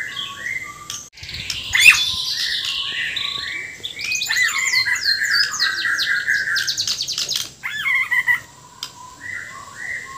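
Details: Borneo white-rumped shama in full vigorous song with coarse fill-in phrases: soft low whistles, then a loud cascade of buzzy trills, chattering bursts and sweeping high notes, returning to quiet whistled phrases.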